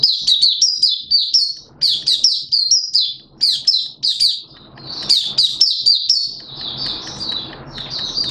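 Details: Malaysian mata puteh white-eye, caged, in open song on 21 June 2023: dense clusters of shrill, rapid chirps in several bursts separated by short quieter breaks with light background noise.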